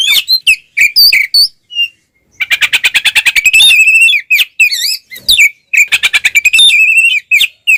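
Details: Provoking fighting song of an Oriental magpie-robin in ngeplong style, mixing clipped whistles, a long rapid rattle and wavering slurred notes repeated in quick bursts.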